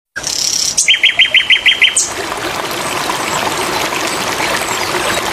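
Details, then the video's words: Flycatcher song for training songbirds: a quick run of about seven sharp, evenly spaced chipping notes, preceded and followed by thin high whistles, then a steady hiss of running water. "sikatan londo"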